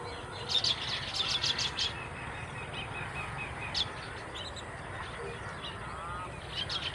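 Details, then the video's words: Baya weaver calls: bursts of high, dry chirps in the first two seconds, then scattered softer chirps and a final cluster near the end, over steady outdoor background noise. "Baya weavers birds sound effect"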